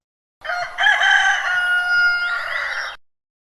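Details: Domestic rooster giving a full crow of roughly two and a half seconds, a brief stutter at the start, then a long steady strained note that tails off into silence.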